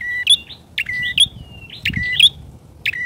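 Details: Bar-winged prinia lure call, brief burst: three or four bright chirps with a sustained level tone and a sharp high note, plus a thin drawn-out whistle between them.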